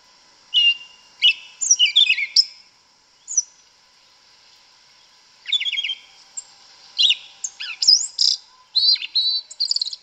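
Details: Yellow-legged thrush singing its forest song in the woods: two long bursts of varied whistles, slurred notes and quick high twitters, separated by a few seconds of quiet.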